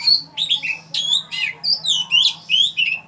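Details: Oriental magpie-robin recorded at Ban Wat Phra Koet, Fa Lami, Phatthalung, Thailand: a steady sequence of varied, loud whistled and slightly harsh phrases in quick succession, with a faint low hum.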